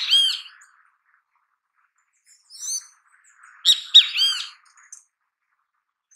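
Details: Great kiskadee in natural habitat giving loud, harsh, harmonic three-part phrases with rising and falling notes, one cut off at the start and a full phrase near the four-second mark, separated by quiet gaps.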